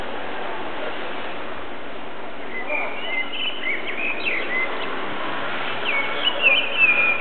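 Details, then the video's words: Blackbird singing at sunset: from the middle onward, short clear whistled and warbled phrases rise above a steady rushing hiss, with a brighter fluted flourish near the end. "blackbird singing at sunset"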